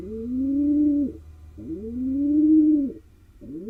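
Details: Male pigeon cooing to court a female inside a nest box in Israel, wild bird; two sustained low coos, each swelling upward and falling off at the end, a third beginning, faint low hum behind.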